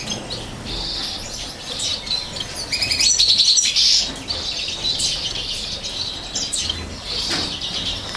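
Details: Chaffinch chicks fed by their mother in 2018, kept by a breeder: sustained high-pitched begging chatter, peaking in a loud rapid burst mid-recording, with wing flapping and soft background rustle.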